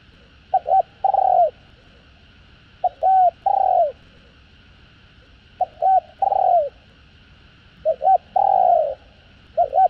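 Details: Spotted dove coos in a full sequence of calling, urging and cooing, used to excite newly caught birds; four three-part phrases spaced about two and a half seconds apart, each two quick hoots and a longer falling coo.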